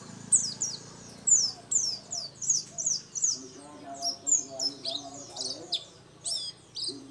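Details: Local dakun Oriental white-eye singing energetically: rapid run of sharp, high descending whistled notes, then a jumbled twittering phrase, over soft low-pitched background sounds.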